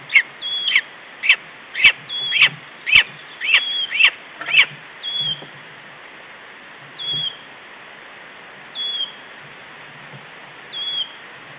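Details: Wood warbler on 4 June 2012 at 9:07 am, giving monotonous calling. A run of sharp, high, clipped notes speeds up and then stops. A short high whistled note follows, repeated about every two seconds over quiet background.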